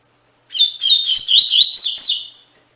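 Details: Double-collared seedeater singing Tui Tui Fibra, a song model for captive birds; roughly two seconds of rapid twittering and slurred whistles that rise into higher, brighter notes near the close before fading.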